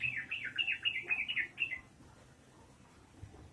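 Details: Trucukan, the yellow-vented bulbul, in lively ropelan song: a fast chattering string of about eight bright, slurred whistles lasting under two seconds, followed by quiet background.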